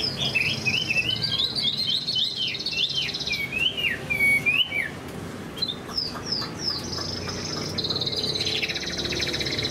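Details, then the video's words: Chinese hwamei moulting yet singing high: a chain of swooping whistled notes falling and rising about three per second, a brief pause, then sharp upslurred chips and a long buzzy high trill. "Chim họa mi đang thay lông, bộ to đẹp, hót cao cầu"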